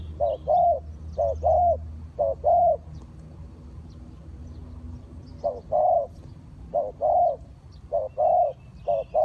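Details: Spotted dove kept to lure wild birds to a trap coos in short-long pairs, three phrases, a silent gap of about three seconds, then a further run of paired coos.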